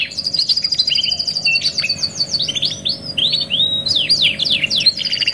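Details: Canary singing for kenari masteran training: an even rapid trill, then arching whistled slurs and sharp falling sweeps, ending in another high rolling trill, with a faint hum beneath.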